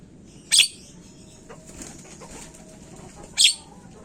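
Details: Lure recording of a Javan myna meant to set other birds calling fast. Two short, grating screeches about three seconds apart, with a quiet hissing background and faint ticks between them.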